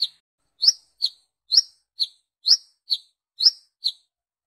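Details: Brown-throated sunbird calling others of its kind, used as a lure: sharp, high, thin chirps repeated about twice per second, alternating slightly rising and flatter notes, on a silent background.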